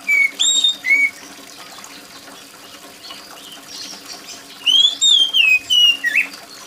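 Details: Oriental magpie-robin with loud, shrill voice amid falling rain: two short whistled notes, a pause of soft patter, then a rapid run of four or five slurred whistles dropping in pitch and a brief buzzy ending.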